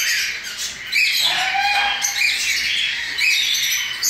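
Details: Young hand-fed cockatiels that recently left the nest beg with a steady harsh, buzzy rasp, swelling and fading in loudness, with occasional thin whistled notes on top.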